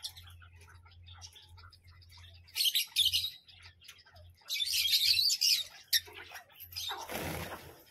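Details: Parrot screeching harshly in two long raspy bouts among softer scratchy notes, ending with a loud broad rushing noise, over a low steady hum.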